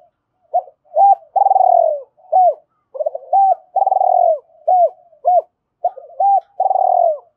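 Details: Decoy spotted dove cooing to lure wild birds, a steady series of short hooked coos alternating with long rolling purred notes, repeated in phrases about every two and a half seconds, quiet clean background.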